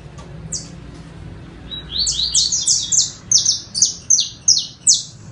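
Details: A saffron finch sings an accelerating phrase of piercing, high notes, each sweeping downward, starting with scattered notes and building into a regular series of about three per second.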